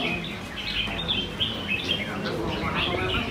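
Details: Caged red-whiskered bulbuls competing in song at a bird ground in Quy Nhon, Vietnam, on the morning of 21 June 2020. Thin, clear whistles and short trills repeat over soft background chatter from the crowd.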